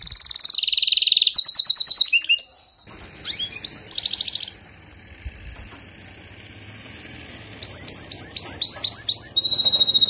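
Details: Canary song aimed at encouraging a weak singer: rolling trills and a few sweeping notes, broken by a long quiet stretch of faint hiss, then a series of upward-slurred chirps.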